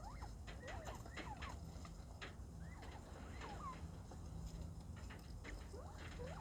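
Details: Aviary-kept pet quail calling busily on Valentine's Day 2024: faint, quick curved whistles and chirps, some rising and some falling, come in loose bursts against constant low background noise.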